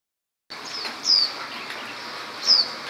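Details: Common tailorbird foraging after rain, giving two sharp, high, downslurred notes about a second and a half apart over a steady hiss of background noise.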